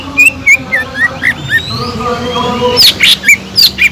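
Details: Cucak ijo (green leafbird) singing energetically as a lure for birds lacking drive: clear upslurred whistles repeated about four times a second, a pause, then sharper high squeaky notes over a steady faint background hum.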